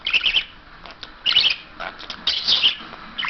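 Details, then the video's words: Pet parrot mimicking English, German and Turkish words, repeating short bursts of shrill, grating chatter about every second with quiet gaps between. "crazy talking bird"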